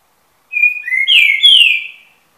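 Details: Eight-month-old young Trinca-ferro singing a strong whistled phrase: a sustained high note sliding into a lower upward slur, followed by two loud full-toned whistles falling gently in pitch, clean background.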